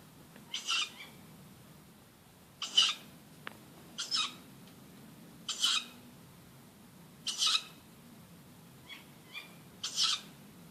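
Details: Near midnight in the dark, from an oak tree outside a house, a bird thought to be a tawny owl gives harsh, hissing screeches under half a second each, repeated every 1.5–2 seconds over a faint hum.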